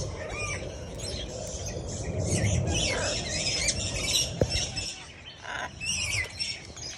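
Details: Baby macaw at brunch beside another animal: harsh, rasping squawks and squeals in uneven bursts, with scuffling noise and a sharp click midway.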